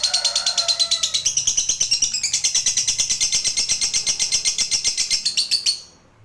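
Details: Fighter lovebird, a hobbyist's bird, in full long ngekek: a quick, high, buzzy chattering trill held steadily for almost six seconds, rising a step in pitch early, then cutting off.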